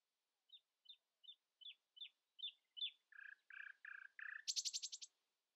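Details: Song of a common nightingale at dawn, outsinging other birds: slow evenly spaced piping notes building into lower buzzy chunks and ending in a loud, very high rapid rattle.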